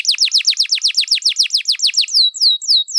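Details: Singing canary, a recording meant to lure and tutor other birds, delivers a fast run of falling whistled notes about five per second, then shifts to slower, higher, drawn-out descending whistles.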